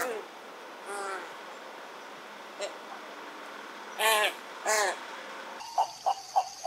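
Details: An American white ibis (Eudocimus albus) in Costa Rica gives a few nasal, honking calls with a buzzy, harmonic tone, spaced a second or more apart, followed by shorter clipped notes over steady background hiss.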